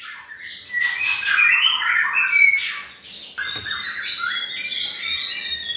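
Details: Pastol bird singing as a lure for white-rumped shama: dense, warbling whistled phrases with quick slides, somewhat blurred by background noise and a steady high tone.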